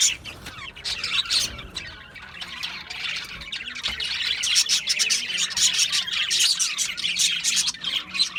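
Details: Budgie chatter that begins softer and sparser, then builds into a dense, rapid stream of high chirps and squeaky twitters over the later seconds.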